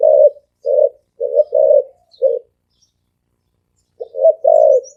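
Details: Fast "gáy gù" cooing of a spotted dove, thổ ồm type; a run of low hollow coos, single and paired, then a pause of nearly two seconds before another double coo, with faint high bird chirps.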